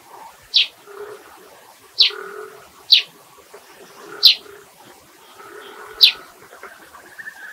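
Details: Eurasian tree sparrow calling: five loud, short, sharp chirps spaced about one to two seconds apart, with soft low cooing, like a dove's, running underneath throughout.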